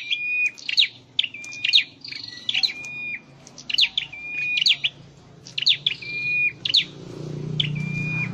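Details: Scarlet-headed flowerpecker kept in a cage for singing training: bursts of thin, high chirps, each followed by a steady flat whistle, repeated in quick series, with a faint low hum underneath.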